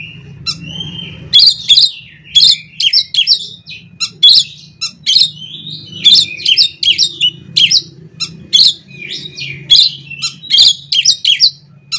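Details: Kacer (Oriental magpie-robin) singing, used as a lure to get other kacer singing loudly. Busy high song of short bright chattering and whistled phrases in rapid bursts about every half second, over a low steady hum.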